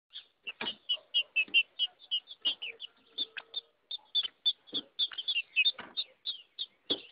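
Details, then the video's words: Female green-winged saltator singing like a male and fighting, live in the bush in Brazil: a fast, busy run of bright, high chirps and short whistled notes, several each second, with few pauses over seven seconds. "femea de trinca ferro macheando"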